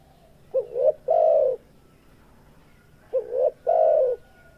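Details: Spotted dove male in breeding condition giving two phrases about two and a half seconds apart, each a quick double coo then a drawn-out soft mellow coo, low-pitched and clear; faint steady hum in the background.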